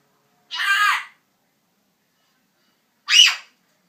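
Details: Early-morning noise from a talking African grey parrot in a bedroom: two coarse, scratchy squawks about two and a half seconds apart, the second shorter and rising then falling.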